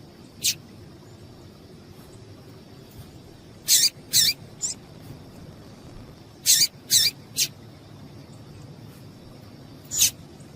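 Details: Female double-collared seedeater calling to stimulate a male: sharp, high, buzzy chips spread across ten seconds, some in quick pairs or triplets and others alone, against a quiet steady hiss.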